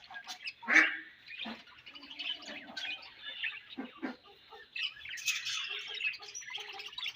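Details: Budgerigars chirping as a colony, a steady bed of warbled high chatter broken by sharper chirps and a few soft low knocks, busier toward the end.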